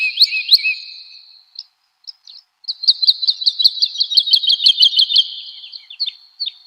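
Woodlark song: a clear, high, fluting phrase, then after a pause a fast run of about fifteen sweet notes that slow and fall slightly.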